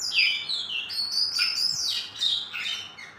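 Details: Oriental magpie-robins in a singing contest between two birds: sweeping whistled notes, some falling and some rising, run together with scratchy high chips in a continuous phrase.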